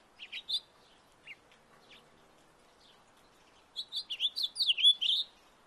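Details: A house finch in a backyard gives scattered short chirps, pauses, then breaks into a quick, jumbled warble of slurred notes near the end.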